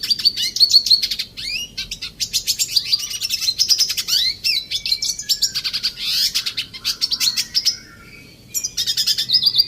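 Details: Aviary red siskin delivering rapid high twittering and trilled phrases mixed with short buzzy notes, a sustained whistle-like tone underneath, and a brief gap near the end before singing resumes.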